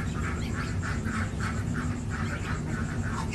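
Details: Six-day-old domestic goose gosling on a village farm in India, giving a steady run of soft, mid-pitched peeps, roughly three per second, over a constant low rural hum.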